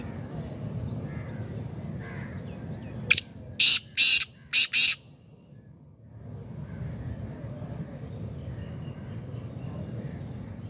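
A black francolin gives one loud, harsh, grating phrase of about five rasping notes over two seconds, against a low rumble and faint chirps of other birds.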